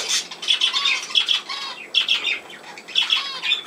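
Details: Budgerigars recorded on 17 November 2024, giving bursts of bright, scratchy chattering notes and short whistles in quick repeated groups, pausing briefly between bursts.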